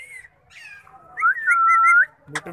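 An Indian ringneck parrot gives a talking, voice-like run of notes ending in a clear, drawn-out whistled tone about a second long, then a brief clatter.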